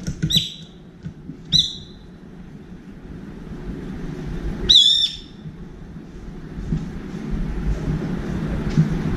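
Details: At a window feeder, a brown-eared bulbul repeatedly calls to find a friend: two short sharp squeaks a second apart, then a longer harsh, wavering screech, with faint low background hum.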